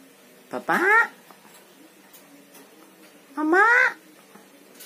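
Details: Javan myna, a clever talking bird said to speak words like bapak and mamak and to whistle, gives two loud, harsh, speech-like utterances with rising pitch about three seconds apart against a quiet background.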